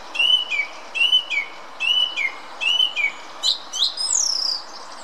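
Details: Song thrush in song at the Munich Botanical Garden, Germany, delivering a repeated whistled phrase, a rising-then-falling note pair sung about five times in a row, followed by shrill squeaky higher notes.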